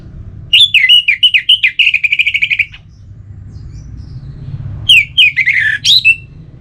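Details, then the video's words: Orange-headed thrush in relaxed song used to rouse listless cage birds: a rapid run of sharp, repeated whistled notes lasting about two seconds, a pause, then a shorter twisting phrase sliding downward, over steady low background hum. "Anis Merah Bunyi Santai"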